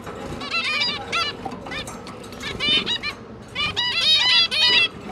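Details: Zebra finches, a pair feeding their three juvenile babies, 5 September 2022; clusters of stacked nasal honks and quick beeps from several birds, rising in intensity toward the end, steady hum behind.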